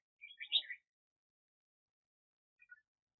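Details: Red-whiskered bulbul kept as a trapping decoy, 2021: a single brisk burst of tumbling, bright chirped notes, then silence and two faint soft notes near the end.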